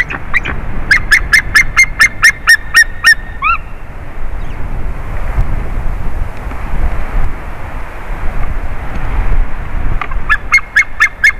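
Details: White-tailed eagle at a favourite tree during a changeover on 30 March 2019: a rapid burst of yelping notes ending in a drawn-out cry, then several seconds of low rumbling background, then the yelps resume.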